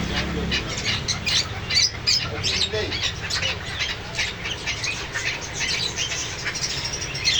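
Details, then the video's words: Several parrots squawk almost nonstop, their rasping high calls coming in quick uneven bursts of about two or three a second, with a brief low rumble at the start. "Parrots Sound | Parrots Cute Voice | Parrot Voice"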